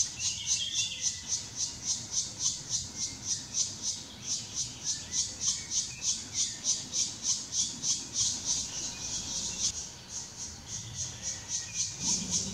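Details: Black woodpeckers feeding chicks in the Karst, Slovenia, in May 2018: high, hissing notes repeated steadily about three or four times a second, over a low background rumble.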